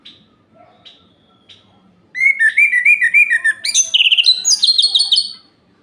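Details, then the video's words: Orange-headed thrush singing at night to excite rival males: after a few faint notes, a loud rapid sequence of warbles climbs into high, buzzy trilled phrases lasting about three seconds. "Suara Ini Bikin Gerah Anis Merah Lain"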